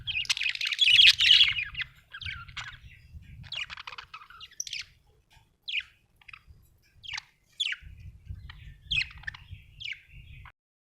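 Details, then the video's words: Budgerigar chirping, opening with a dense rasping chatter, then a run of brief, sharp, scratchy notes at a rapid, uneven pace, over intermittent low rumbling. "budgie chirping sound"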